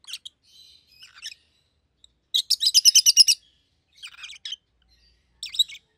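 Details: A yellow and a green rosy-faced lovebird, a pet pair, let out a fast rattling series of about eight shrill chirps, framed by softer twittering before and after.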